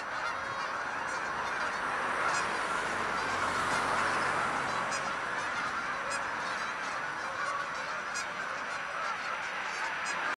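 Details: Canada geese by the hundreds taking flight; a thick wall of overlapping honks, rapid and unbroken, from many birds calling at once.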